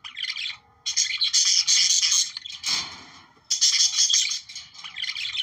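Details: Budgerigar warble for stimulating breeding: buzzy chattering bursts with squeaky high notes, a softer rustling stretch in the middle, then another loud phrase.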